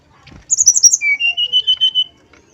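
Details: Male brown-chested jungle flycatcher singing: a quick burst of very high chipping notes, then a run of about seven clear whistled notes repeated evenly at a steady lower pitch, each slightly wavering.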